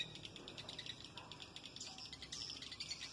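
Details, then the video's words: Swiftlet lure call used to attract swiftlets: dense rapid chirping and twittering, high-pitched and repeated in quick pulses, layered chirps continuing throughout with a low background hiss. "suara walet terbaik 20kg"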